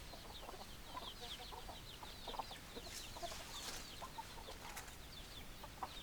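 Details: Hens cluck in scattered short notes under continuous high chirping. A few brief, sharp bursts of noise cut through the middle of the passage.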